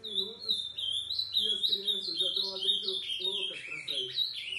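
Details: Ultramarine grosbeak singing after 11 at night: loud, continuous high whistled phrases with repeated downward-sliding notes in quick succession, a low humming layer underneath.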